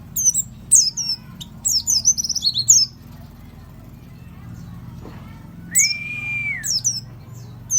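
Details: Oriental white-eye singing as a lure: bursts of high, scratchy twitters for about three seconds, a quiet pause, then a lower smooth arched whistle followed by more high chirps.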